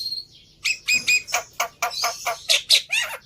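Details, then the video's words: Lure song of a black-winged myna meant to get a quiet bird singing. A thin whistle leads into a string of hoarse, buzzy squawks, some carrying steady whistled tones, ending in a wavering downward note. "Tes Dengan Suara Pancingan Burung Jalak Putih Ini Di Jamin Nyaut"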